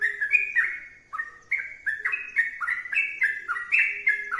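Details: Energetic sooty-headed bulbul song: mellow bubbling whistles, a brief pause near the one-second mark, then a dense burst of rising and falling liquid notes.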